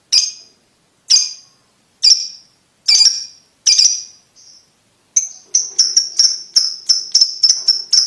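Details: Ticking lovebird, played to teach young lovebirds to trill: five spaced sharp chips about a second apart, then a quicker stuttering series of high ticks.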